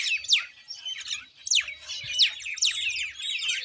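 Common myna in busy, high chatter: quick squeaky and gurgling notes, cut by about four sharp downward-swept whistles under two seconds apart.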